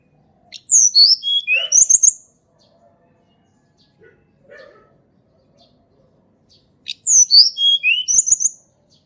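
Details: Sunda robin, natural song used to lure birds that seldom sing: two matching phrases of high, sweet whistles falling in steps, separated by about five seconds of soft low notes and quiet.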